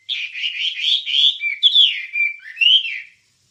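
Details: Wambie singing for songbird training: a continuous warbling run of bright, rolling chirps and slurs, ending with a rising whistle and then silence.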